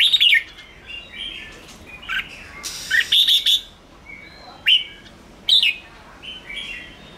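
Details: Red-whiskered bulbul giving an intense chattering 'ché' display used to stimulate other bulbuls: short bright chirped bursts and harsh broadband chatters, irregularly spaced about a second apart, with softer whistled notes between and faint background hiss.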